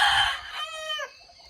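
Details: A rooster at a small house crows once on a cold early morning, around 4 am: a harsh, strained start that turns into a held nasal note, then drops away, lasting about a second.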